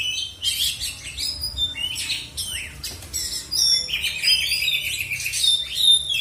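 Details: Black-and-white Oriental magpie-robin competing in a songbird contest in South Aceh, Indonesia: loud, fast bursts of bright whistled notes and rich warbles. Phrases follow one another with short gaps, and a quiet low rumble lies underneath.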